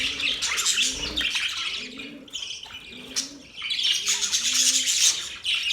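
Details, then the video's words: Budgies chirping, described as happy birds: warbling high chatter rising and falling, while soft low coos repeat about every second in the background. "Budgies chirping sounds"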